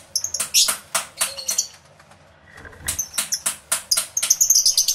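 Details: Lovebirds in an aviary, recorded with two microphones: clusters of harsh high shrieking chirps, a short quiet gap, then a rapid run of repeated squeaky calls.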